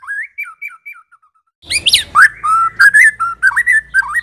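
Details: White-rumped shama, Medan type, in song meant to provoke rivals: a few rising whistles with short gaps, then a burst of harsh noisy notes and sustained varied whistling with a low background hum.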